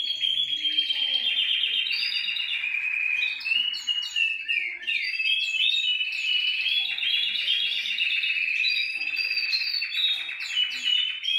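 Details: Canary song intended to get other canaries singing: dense rapid trills and clicking rolls alternate with sweeping whistled notes in a steady, varied flow lasting over eleven seconds.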